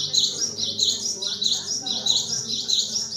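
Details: Cinereous tit (gelatik wingko) in active song: a high, slightly buzzy phrase repeated about every half second in a steady rhythm, with a low hum and faint talk below.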